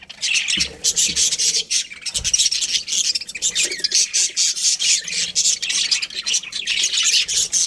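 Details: A budgie breeding pair warbling in high, raspy chirps and squawks with steady pulsing rhythm, a few low thumps and rubbing noises near the start.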